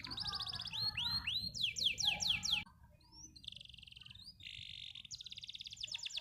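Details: Canary song: rapid repeated trills and rolling phrases, sweeping notes and fast buzzy rattles switching between high and very high pitch, loud and dense at first, then a brief drop before quieter trilled series resume.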